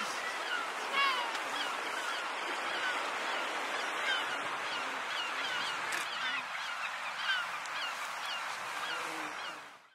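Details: A dense chorus of Kelp gulls (Larus dominicanus austrinus) on the Antarctic Peninsula in February 2022, with harsh, yelping and mewing calls overlapping without pause, and a steady background rush.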